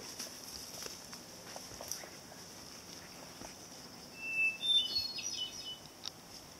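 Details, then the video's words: Hermit thrush singing at sunset on the summer solstice of 2013 near the Old Ridge Trail descending Simpson Hill; one ethereal phrase late on, a held whistled opening note followed by higher flutey, tumbling notes over a soft outdoor hiss. "Hermit thrush song"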